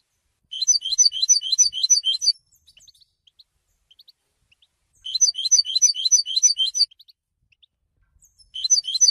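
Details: Three bursts of European goldfinch song, each about two seconds of fast, high, jingling trilled notes, separated by pauses with a few soft chips.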